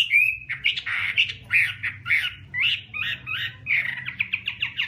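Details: Chinese hwamei giving a rougher stretch of song: hoarse, squawky phrases mixed with brief whistles, ending in a quick run of repeated short notes.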